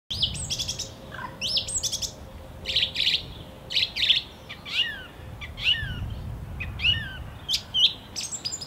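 A song thrush sings loud, varied phrases of clear whistles and sharper notes, often repeating a phrase before switching, over a faint low rumble.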